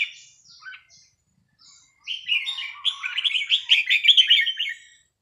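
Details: Red-whiskered bulbul being practised on a free day: a few thin opening notes, then a long, loud, rapid bubbling warble of rising and falling whistles.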